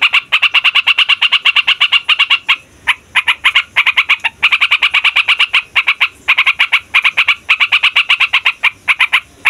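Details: Long rolling song of a yellow-vented bulbul used as a lure for wild bulbuls: fast, bright chattering notes in extended runs broken by brief gaps, loud and continuous overall.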